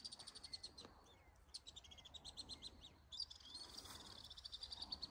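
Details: Alpine swift flying above a lake, giving rapid high-pitched trills of evenly spaced pulses. Short chirps punctuate the trills, and a fresh burst of trilling starts partway through.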